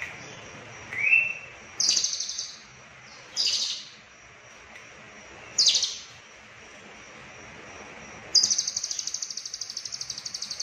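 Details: Lovebird konslet song with cililin phrases: a rising whistle, three short rasping bursts spaced more than a second apart, then a long fast pulsed trill running to the end.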